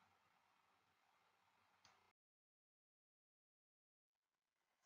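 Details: Near silence throughout, with only a faint tick near the two-second mark and a sudden loud click at the very end.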